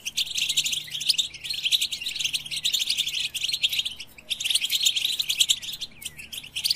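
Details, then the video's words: Rapid high chirping and tinkling trills of a European goldfinch, delivered in dense bursts separated by short pauses a little over one second and around four and six seconds in. "Goldfinch With the Best Melodies"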